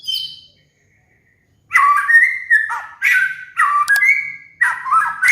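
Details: White-rumped shama (murai batu) master song for training caged birds in moult: a brief high note, a pause, then loud, rich whistled phrases with rapid warbled notes in bursts about once a second.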